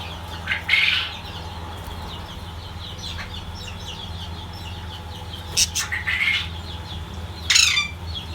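Budgerigars give short, scratchy chirps and squawks in brief bursts over a steady low hum.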